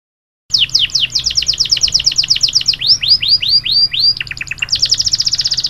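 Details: Yellow canary from Trinidad singing: rapid high trills of repeated descending whistles, then slower upswept notes, ending in a fast chattering trill, with a low background hum.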